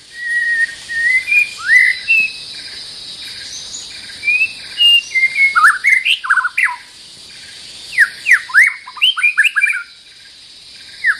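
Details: White-rumped shama, the resident territorial bird, singing long flutelike whistles that build into bursts of fast chattering, twisting notes, separated by short pauses, against a continuous high insect buzz.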